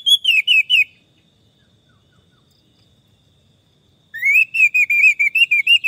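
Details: Orange-headed thrush song used as therapy for stressed birds that have stopped singing: quick runs of clear, wavering whistled notes, a silent gap of about three seconds, then another lively run of looping whistles.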